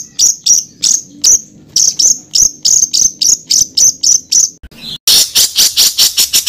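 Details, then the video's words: Songbird master recording for contest training: about fifteen very high, clipped, downward-flicking notes spaced evenly, then a dense, fast, buzzy rolling trill. "INI DIA BURUNG MASTERAN KASARAN NGEROLL || MASTERAN MEWAH UNTUK ISIAN BURUNG LOMBA"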